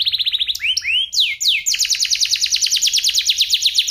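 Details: Tutor song from an F1SF canary for magpie-robins and young canaries: quick chipping notes, loud sweeping upslurs, then a very fast, high, rolling trill running to the end.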